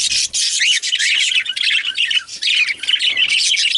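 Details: Male budgerigars pour out a loud, scratchy chatter with dense high chirps and occasional sharper whistled squeaks, almost without pause.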